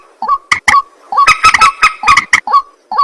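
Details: Night calls of a white-breasted waterhen: short, clipped croaks with a rising twang, given in quick irregular bursts separated by brief pauses.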